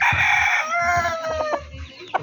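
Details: Rooster crowing in a backyard poultry setting: a long harmonic crow, held level and then falling slightly, followed by short clucks with low thumps beneath.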